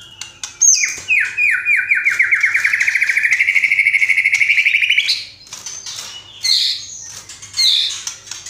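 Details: White-rumped shama (murai batu) singing a rich isian song full of tembakan bursts: a few sharp high notes, then a long rapid rattling trill of descending notes repeated for four seconds, then scattered bright chirps.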